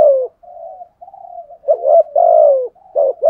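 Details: Spotted dove used as a decoy to provoke other doves, cooing in low hoarse phrases: short rising notes followed by long falling coos, with quieter soft murmurs between.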